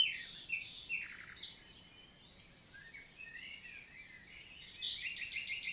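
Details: Summer daytime song of a common nightingale in the Célé valley, Lot, southern France, recorded 11 June 2023 in countryside forest: scattered high chirps and whistled notes, ending in a fast rhythmic pulsed trill.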